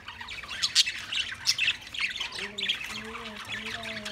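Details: Budgerigars give sharp high chirps and squeaky bursts, then a series of short, lower, wavering tonal notes repeated several times in the second half.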